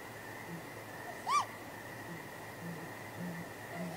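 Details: Nighttime great grey owl pair at the nest on 23 April, keeping contact: one clear, higher, arched wailing call, with a few faint low hoots and a steady hum behind it.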